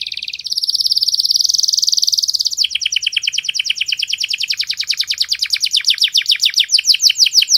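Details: Canary master training song: a steady, high, buzzing roll of very rapid notes drops to a lower, slower series of repeated two-part notes that continues with even rhythm. A faint low hum sits in the background.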